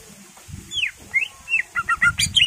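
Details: Greater green leafbird song meant to provoke other birds: a few slurred whistles and quick chips over heavy low rumbling noise.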